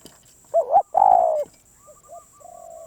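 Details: Loud spotted dove phrase from a bird called a very stubborn wild one: two clipped coos, then a long hoarse croo sliding down. Softer, higher, evenly spaced coos follow, with a faint steady high-pitched hum behind.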